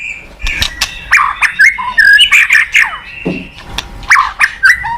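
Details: White-rumped shama song used as a lure for a quiet caged bird: busy bursts of harsh chattering and short slurred whistles, many sharp clicks, loud phrases repeated in clusters with brief pauses.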